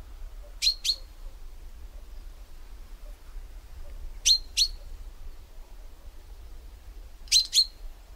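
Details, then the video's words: Common chaffinch giving its call: bright, abrupt paired chinks, high and metallic, each pair repeated roughly every three seconds, three pairs in all against soft low background noise. "Chaffinch call"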